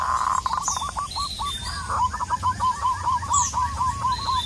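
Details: Local wild zebra dove calling a rival: a loud opening coo, a stuttering cluster of notes, then a rolling run of evenly repeated hooked coos. Faint high chirps from other birds are heard.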